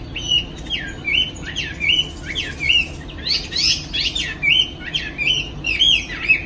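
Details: Afternoon song of a caged Chinese hwamei in Hanoi, Vietnam, spreading its wings as it sings: clear, loud whistled phrases repeated about twice a second, each a quick slur ending in a bright trill, then rising sweeping notes.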